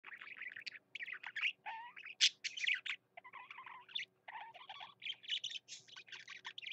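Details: Pet parakeet (budgerigar) singing indoors: a busy, chattering warble of scratchy chirps, squeaks and short whistled notes mostly in a high register, delivered in rapid bursts with brief pauses and a faint steady hum behind.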